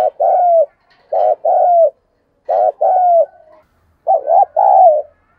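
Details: Decoy spotted dove cooing in a prodding and calling style, sung in the thổ voice: four two-part phrases, each a brief clipped note followed by a drawn-out, slightly falling mellow coo, separated by short pauses.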